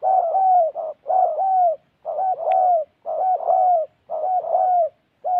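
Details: Decoy spotted dove from Gia Lai, Vietnam, cooing steadily and loudly: repeated phrases of a quick clipped note joined to a longer, smooth, slightly falling coo, about one phrase per second.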